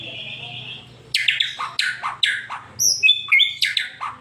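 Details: White-rumped shama song in 'super speed' style, played to provoke a pet shama into singing: one steady held whistle, then a quick series of sharp downslurred notes and high chips over a faint low hum.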